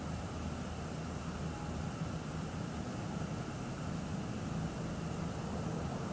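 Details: Dense broadband hiss with a low droning rumble throughout and no animal sound.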